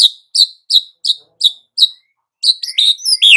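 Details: White-rumped shama: six sharp, high, chirping notes about every third of a second, followed by a rush of twisting, squeaky high phrases.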